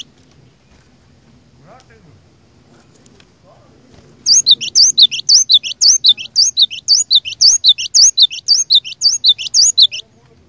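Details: Cinereous tit (glatik batu) lure bird singing persistently to provoke rivals: after four seconds of quiet, a fast, regular series of high two-note whistles runs to the end, roughly two phrases a second.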